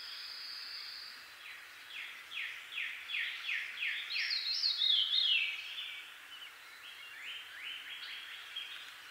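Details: Eastern North American Veery song, a cascade of rapid, downslurred, ringing notes that swells, then spirals down, repeated again more softly; other birds, a Cardinal and a Red-winged Blackbird among them, sing faintly in the background.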